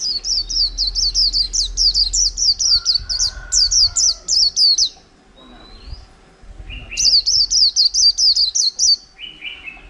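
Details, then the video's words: White-eye in a cage, caught wild over a month ago, delivering 'líu' song: fast chains of high downslurred chirps, a brief pause with a thin rising whistle, then another rapid burst and a few lower notes. "chim khyên víp mộc hơn tháng lồng cheo là líu hàng tuển"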